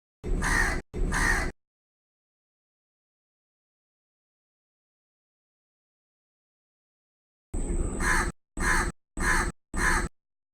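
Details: A crow in a tree gives two rough caws, pauses for six seconds, then bursts into a faster run of about five short, grating caws.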